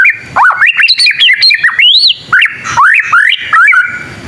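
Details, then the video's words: Young white-rumped shama practising song that draws replies from other shamas: a quick series of loud swooping whistles, rising and falling, broken by sharp clicks and short chatters, with brief pauses between phrases. "Suara burung murai batu paling gacor bikin burung murai lain langsung nyaut"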